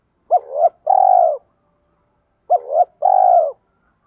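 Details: Spotted dove in the 'thổ pha đồng' lure style, cooing to train freshly trapped birds. Two matching phrases, about two seconds apart, each have a sharp hooked double note and then a long, buzzy, pulsing coo.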